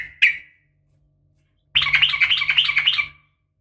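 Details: One sharp chirp, a pause, then a burst of fast, scratchy chattering notes from a female sooty-headed bulbul calling a male, with a faint low hum underneath.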